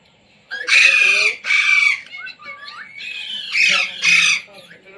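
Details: Indian Ringneck parrot kept as a pet and taught to say "mummy", "mitthu" and "roti roti"; two long, harsh screeches, then softer warbling chatter, then two more screeches.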